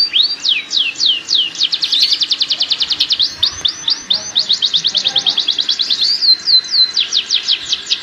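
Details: Breeding canary song played to speed up pairing: a rapid chain of sharp descending notes shifting into dense rattles and then slower looping whistles, loud and steady throughout.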